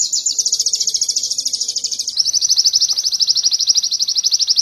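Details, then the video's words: Canary song used as training material for songbirds: a fast, even, high trill of rapid buzzy notes that drops slightly in pitch after about two seconds and rolls on steadily, with faint background hiss. "Masteran sogon kekinian materi kenari"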